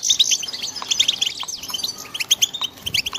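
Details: European goldfinch chicks giving a dense chorus of thin, high-pitched chirps and short twittering notes, several calls overlapping in quick bursts with brief gaps, some lower faint clicks beneath.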